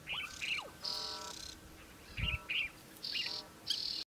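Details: Citrine wagtail recorded in Israel, giving several harsh buzzy calls and brief high chirps in quick alternation, repeated about every second. A low tonal hum comes and goes beneath, with a faint thump midway.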